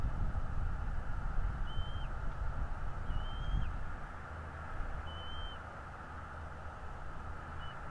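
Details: Bald eagle at a nest in northeast Florida, filmed by a nest camera on the morning of 11 February 2022: thin, high whistled notes, each held level then dropping sharply at the end, spaced a second or two apart over a steady low rumble.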